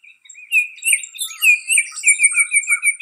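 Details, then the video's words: Baltimore oriole at Riverwood giving a fast run of whistled notes, about three per second, after a softer opening. Short higher chips from other small birds sound in the background. "Baltimore Oriole Call"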